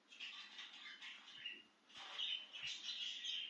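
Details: Excited out of its cage, a budgie produces a steady scratchy warble under a constant background hiss, with faint low knocks here and there.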